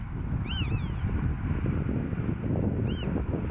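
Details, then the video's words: At Marken in June 2020, a black-tailed godwit utters a quick pair of rising-falling nasal calls, then a faint short note and one more arched call near the end, with wind roaring throughout. "Black-tailed Godwit - Grutto"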